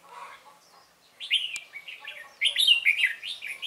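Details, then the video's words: Red-whiskered bulbul used as a decoy during trapping, singing to provoke wild rivals; rapid bursts of bright, warbled notes sliding between high and mid pitch, delivered in quick rattling phrases with short gaps, faint background chirps. "Bẫy chào mào mỏ như liên thanh"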